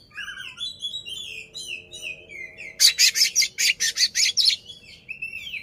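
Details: Caged white-rumped shama, kacer, opening its tail while singing to rile a rival; a fluid run of varied whistles gives way to about nine loud harsh buzzy notes in quick succession.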